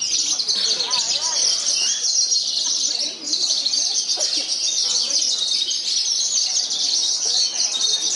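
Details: Parva-type Javan bush lark in a singing contest, buffeted by strong wind, taking first place. Unbroken, shrill, rapid twitter with fast chirps and trills and barely any pause, over faint background murmur.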